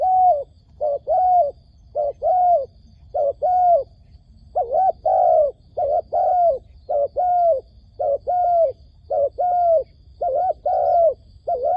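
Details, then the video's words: Decoy dove calling to lure wild doves into a trap: steady series of low, mellow coos, each a short note followed by a longer slightly falling one, repeated roughly once a second with a brief pause midway; quiet background. "ឱ្យតែជួបលលកព្រៃ ធ្នាក់ហៅបរសឹងដាច់ខ្យល់"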